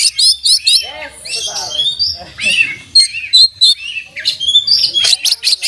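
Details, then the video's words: Oriental magpie-robin singing with imitated fill-in phrases: sharp high chips, short whistles and lower harsh chattering notes, then a run of quick repeated high notes at the end. "kacer gacor buka paruh full isian dan masteran"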